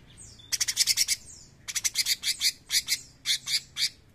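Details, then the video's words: A bulbul pours out three bursts of fast, bright, scratchy chattering notes, with a few thin whistled slurs between them. "CUCAK CUNGKOK GACOR NEMBAK GURIH!"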